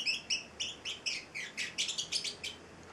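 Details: Eight-week-old male Celestial parrotlet, a pet, chirping steadily: a quick series of high, slightly buzzy notes, roughly three to four per second, evenly spaced across the stretch.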